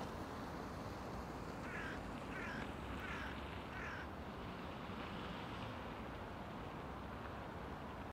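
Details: A great spotted woodpecker gives four sharp, short 'kik' notes about every 0.7 seconds over a steady roar of city traffic, in Karlovško predmestje, Ljubljana, on 20 December 2022.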